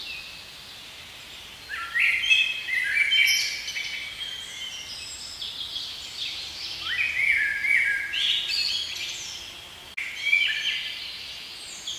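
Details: In a spring forest a blackbird delivers several warbling phrases: low fluty notes sliding upward, then high chittering flourishes. Short pauses separate the phrases, and the background is soft and steady.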